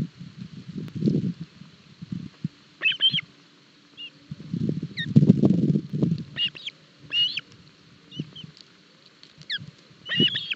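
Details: Osprey chicks at their Barlinek Forest nest, Poland, 7 July 2022, during breakfast feeding on a fish. Scattered high whistled piping notes in short groups, between bouts of low rustling and tearing.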